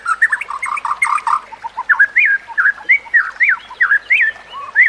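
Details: White-rumped shama song used for training other shamas, set among nature sounds and trickling water: a steady run of short rising and falling whistled notes, some chattering at the start, each note spaced about a third of a second apart.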